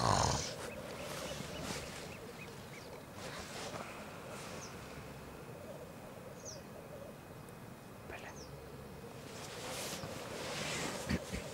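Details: Black grouse displaying at a lek in Elverum, 2008, with 38 cocks in total: a faint low bubbling drone, loud breathy hissing bursts at the start and end, and scattered short high notes.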